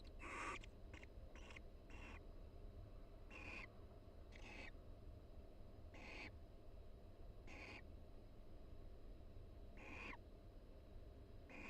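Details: Soft pair-bonding calls from a barn owl couple preening each other inside a nest box at the University of Florida: a few quick ticks, then spaced hoarse hisses every one to two seconds.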